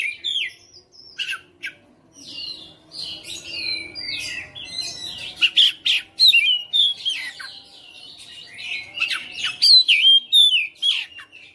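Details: Home-kept white-rumped shama fighter in full, persistent song: rapid varied whistles, chirps and sharp clicks in dense bursts, some phrases rising and falling, with brief pauses between volleys and a quieter passage midway.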